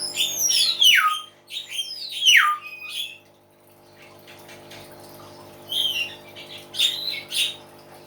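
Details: Common hill myna calling loudly: steep descending whistled swoops sliding from high to low, given twice in quick succession, then a pause and a burst of harsher squawky notes, over a steady low hum.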